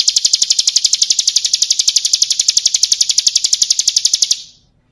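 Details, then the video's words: Bar-winged prinia in the kristal song style, a full-fill tutoring recording: one continuous four-second run of bright, rapid, evenly spaced high chips that fades out at the end. "Masteran Suara Burung Ciblek Kristal"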